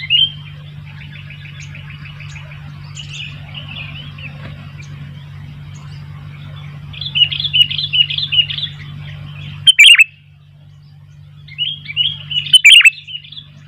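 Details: Sooty-headed bulbul, wild birds answering: a long run of quiet rapid chattering notes grows into louder bubbly phrases, followed by two sharp bursts, over a constant low electrical hum.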